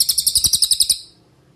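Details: Cililin master song for training songbirds like magpie-robins and kacer: a short burst of about eleven quick, piercing high notes in a steady rattle, fading into quiet.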